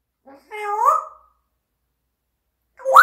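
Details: Pet parrot making a meow-like rising and falling wail, followed after a pause by the start of another sharp upward cry.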